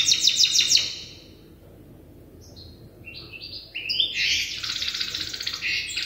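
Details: Learning-stage European goldfinch hybrid, tutored by an older hybrid bird. Opens with a dense buzzy trill, a quiet gap, then scattered piping notes build into a loud, rich, twittering jumble of high warbles.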